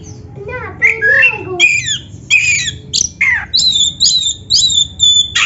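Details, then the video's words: Caged black-breasted oriental magpie-robin (kacer dada hitam) singing, used to coax other caged birds into song. Varied phrases open with lower slurred whistles, then sharp high whistled notes repeat in quick bursts. "SUARA BURUNG KACER MASTERAN ‼️ Stel Suara ini Biar GACOR | Pasti Nyaut Buka Ekor"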